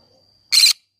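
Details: A single short, grating screech from a green-cheeked conure in a flower garden, loud and broad, following a thin steady high whine and faint low murmur.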